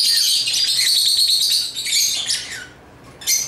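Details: African lovebirds kept as pets, playing with toys, give dense high chirping and twittering, a continuous chattering stream for about two and a half seconds, then a quieter pause and a final sharp burst.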